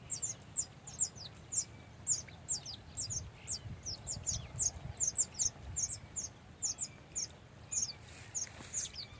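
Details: Male and female Baya weavers at a nest colony in South Asia give a steady stream of thin, high, squeaky chirps, several birds overlapping, with faint low background hum.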